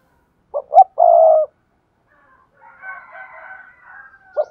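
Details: Spotted dove prompting and calling coos, for bird keepers: two short notes rise into one long, steady, mellow coo. Softer, higher bird chatter follows, and a new coo begins at the end.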